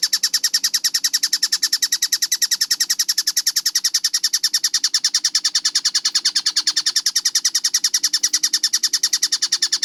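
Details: Kingfisher known as tengkek buto in a clear training recording: nearly ten seconds of rapid, metallic, high notes repeated at an even, fast beat, never pausing, over a faint low drone.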